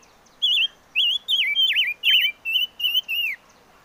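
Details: Chim ngũ sắc singing a rapid, rich phrase of about eight whistled notes. The notes swoop and wiggle, some dipping sharply downward, before it ends on a falling note. Soft hiss behind.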